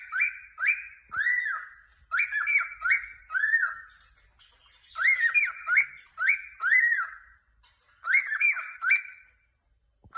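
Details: Happy pet cockatiel giving rapid series of bright, arched chirps, often in pairs or triplets, forming regular bursts with short silences in between.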